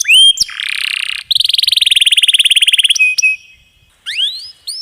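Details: Canary training song in the long-roll style, with a water effect added: whistled slurs, a buzzy churr, then a long, even, rapid roll, a pause, and scattered rising whistles.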